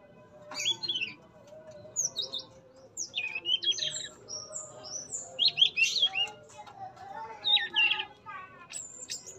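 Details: Male Yellow-rumped flycatcher in a captive breeding enclosure, tame and in full song with beak opening and tail play; varied high whistled phrases and downslurred notes repeat in clusters every second or two.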